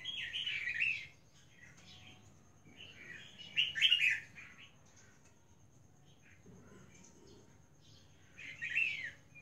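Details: A female albino red-whiskered bulbul starting to find her voice gives short bursts of bright, warbling chirps, each about a second long, spaced a few seconds apart over a faint room hum.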